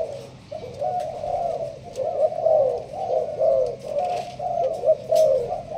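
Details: Spotted dove of the Malaysian line in a leaf-covered cage, cooing in the sparse 'thúc gù bài thưa' style: soft, throaty coos repeated about every two to three seconds, each slightly wavering, with faint tapping in the background.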